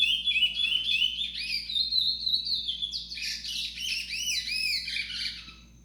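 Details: Chestnut-bellied seed finch (curió) in a warbling high song with gliding whistles, then a burst of looping, rising-and-falling chirped notes that trail off and fade near the end; low steady hum in the background.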